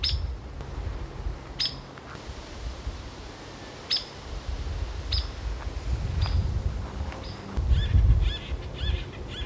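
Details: A pair of acorn woodpeckers at Lake Arrowhead, California, in June, give sharp, scratchy calls at irregular intervals, with a quicker burst of chatter near the end, over steady low wind rumble.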